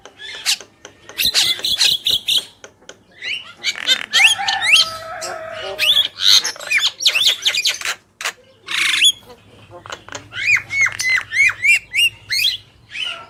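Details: Male and female Javan mynas in energetic gacor song: dense harsh rattling chatter, then a clear series of repeated rising whistles interleaved with scratchy notes.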